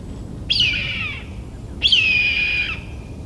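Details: Very vocal red-tailed hawk (Buteo jamaicensis) in Vancouver, BC, Canada, on 20 February 2019, giving two hoarse, raspy screams, each under a second and sliding slightly downward, with faint background hiss.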